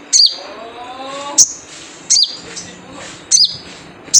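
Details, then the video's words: Characteristic 'jrejet cuit' call of a wild sunbird, used to lure others into singing: sharp, very high chirps, some slurring downward, roughly one per second, with soft murmuring voices behind. "Jrejet Cuit Suara Panggilan Khas Sogon Liar"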